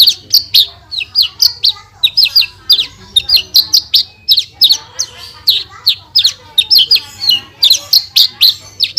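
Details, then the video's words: Lively branjangan (Horsfield's bush lark) song in full 'tembakan' style, used as a masteran tutor track: continuous high twittering of sharp chirps and slurred notes in tight clusters, barely pausing. "MASTERAN SUARA BURUNG BRANJANGAN GACOR FULL TEMBAKAN"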